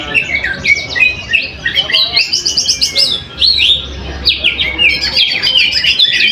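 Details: Greater green leafbird singing in a cage at a weekly practice competition in Mojokerto, where it placed first; lively bursts of high twittering and slurred whistles with brief pauses and other birds audible.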